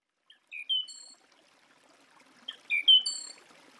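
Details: Song thrush singing: two short, bright whistled phrases, each a few clear high notes with a brief pause between them, over a quiet background.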